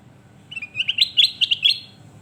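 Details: Sooty-headed bulbul, known locally as kutilang emas, singing actively in a tutor recording. A quick bubbly phrase of short whistled notes climbs step by step, each note sharp and liquid, over a quiet low hum.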